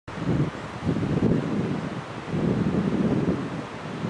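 Gusty wind buffets the microphone in rising and falling surges, with rustling and no animal voice.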